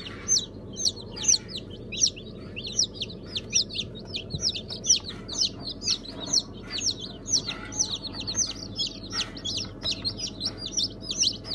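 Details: A fresh hatch of chicks, Sultan, Brahma, İspenç and Ameraucana breeds together, dated 1 September 2019, peeping shrilly and constantly: sharp, high, falling cheeps, many birds calling at once in rapid overlapping bursts, with faint steady hum beneath.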